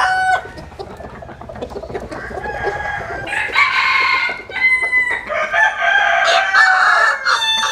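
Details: Sunbathing roosters in the Vietnamese countryside: continuous clucking gives way to overlapping loud crows, each held with a descending finish, from more than one bird.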